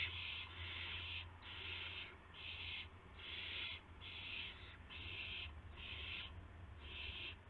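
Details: Nest of owls just past midnight, March 19, 2016, with adults delivering mice and a gopher to owlets; nine raspy hissing bursts in steady succession, each under a second, separated by short pauses, low hum beneath.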